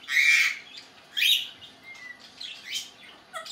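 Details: Pet male African grey parrot, May 2019, giving a loud raspy squawk, then a second harsh burst, a thin flat whistle and scattered chirps, part of his repertoire of funny sounds and whistles.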